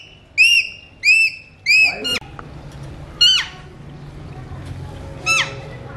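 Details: A pet Alexandrine parakeet whistles clear, ringing arched notes, three in quick succession, then a falling sweep and two more whistles spaced over a few seconds.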